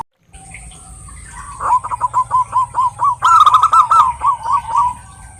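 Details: Local female zebra dove calls for a male with a rising series of short, evenly spaced coos, interrupted by a brief buzzy rattle, then more rhythmic notes trailing off.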